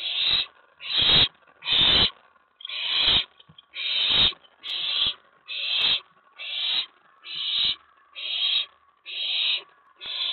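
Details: Night of May 19, 2017: an owlet in a nest box, excited around a mouse delivery, gives a rapid series of twelve loud, harsh hissing screeches, steadily repeated a little faster than once per second.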